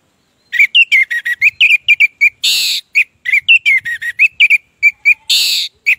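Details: Orange-headed thrush in full song, used as a lure for thrushes that have stopped singing. It gives a fast, continuous run of loud, clear whistled notes and slurred phrases, broken by two short bursts of harsh, hissing noise.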